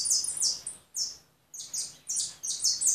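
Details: Short bright phrases of high, buzzy goldfinch twitter, split by a brief silent pause near the middle.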